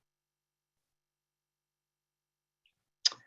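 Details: Near silence, broken only by a single sharp click near the end; no animal voice is heard.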